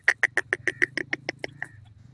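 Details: Grey francolin, the teetar, from Iran calling: a rapid run of about eleven sharp, ringing notes, evenly spaced and fading toward the end, over a faint low hum.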